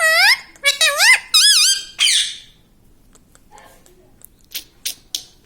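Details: Pet parrot in a room, said to say "mummy papa", gives a quick run of five or six rising-falling voiced syllables like spoken words. Several faint clicks and taps follow in the quiet.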